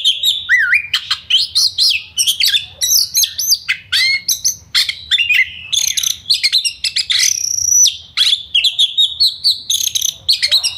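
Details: Oriental magpie-robin, a kept bird singing fast dense song meant to make other birds aggressive and sing: rapid varied whistles, rising and falling slurs, sharp chips and buzzy notes packed tightly, some long steady whistles.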